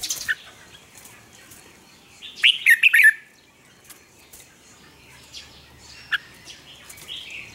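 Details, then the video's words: Red-whiskered bulbul morning song for training birds: one lively phrase of several bright, tumbling whistled notes near the middle, with faint scattered chirps and background hiss around it. "Luyện chào mào hót sáng, hót hay, kích bổi sổ giọng nhanh 2020, luyện chào mào hót căng lửa"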